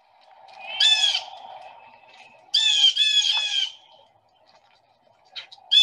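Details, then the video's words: Two or three blue jays in bushes give harsh, raspy jeers in bursts of about half a second to a second over a low steady hum; recorded locally in March 2021; Blue Jay. "anyway what you mostly hear are the blue jays"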